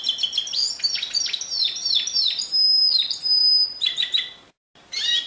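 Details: Canary pure song, 2016: rapid rolling trills, long high steady whistles, repeated sharp notes, a short break, then more trilling.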